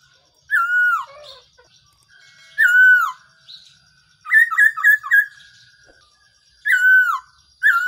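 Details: Black-throated laughingthrush calling as a trapping decoy: loud, clear whistles that slur downward, followed by a quick burst of four short chattering notes, with more falling whistles after pauses of about two seconds.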